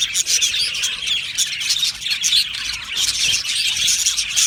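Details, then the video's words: Australian budgies in an aviary colony calling all together: loud, busy high chirping and squeaky chatter, surging and easing in waves, with occasional shrill squeals. "Australian Budgie parrot chirping sounds"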